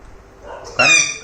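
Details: Pet parrot talking with a six-month-old baby. When asked to make the baby's sound, it answers with one short, loud, bright utterance rich in overtones, lasting under half a second, after a quiet start. Household speech comes just before and after.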